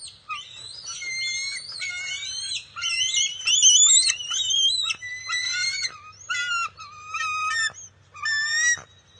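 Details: On June 22, 2021, a juvenile bald eagle cries out as an adult arrives at the nest with fish, the first catch of the day. Long runs of piercing, wavering whistled squeals rise and fall in bursts, loudest near the middle.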